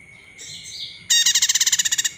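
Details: Olive-backed tailorbird call used as a lure to rouse other birds into singing: a faint high twitter, then a loud, rapid, even trill of about a dozen sharp high notes in one second, over a steady high electronic hum.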